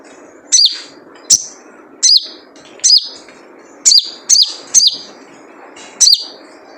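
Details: Wild sunbird (sogon) with its characteristic calling note, played as a lure to get kept birds singing: eight sharp high descending chirps repeated at irregular short intervals, some in quick pairs.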